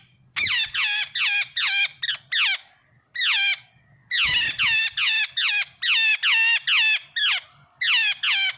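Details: Jungle babblers give harsh, squawking chatter: rapid bursts of grating, descending notes, several birds overlapping in a noisy, repeated chorus.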